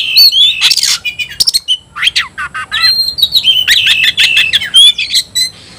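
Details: Oriental magpie-robin (kacer) calling an opponent to fight: loud mix of harsh rasping bursts, sharp downslurred notes and fast trilled whistling phrases.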